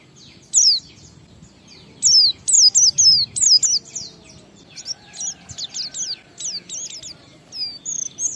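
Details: Oriental white-eye singing ngalas joined with wiksar as a lure for other white-eyes: one high note, then a bright series of falling whistles, then softer, quicker twittering and a few final chirps.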